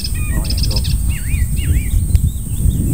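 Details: Icterine warbler, an unusual early-July visitor that stayed a few days and mimics other birds, singing a quick, varied phrase of high chattering notes and swooping whistles over a steady low rumble.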